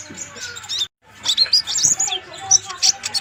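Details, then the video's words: Flaming sunbird, known locally as kolibri ninja, singing vigorously as a master recording for training birds: dense high-pitched twittering chirps and trills with a short break, plus a faint low hum. "KONIN GACOR COCOK UNTUK MASTERAN"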